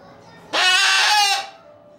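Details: Umbrella cockatoo at home, screaming loudly because it wants to be played with: a single harsh, flat, drawn-out shriek of nearly one second, rich and grating, then quiet.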